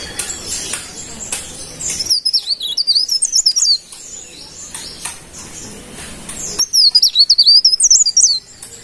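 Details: Energetic song of a golden-bellied gerygone: two separate bursts of high, sweet, warbling whistles, each around one and a half seconds, looping up and down in pitch, with faint clicks and soft chirps in between.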